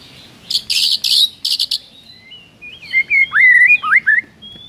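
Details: Murai batu (white-rumped shama) singing hard in the morning with rich fill: several buzzy high rattles, then a varied phrase of looping, slurred whistles rising and falling.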